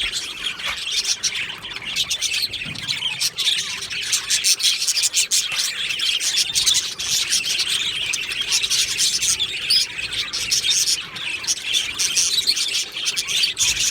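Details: Budgerigar colony in an aviary, recorded 22 June 2025, giving a long, unbroken mass of thin, high chirps and scratchy warbling from many birds at once, fairly even in loudness throughout.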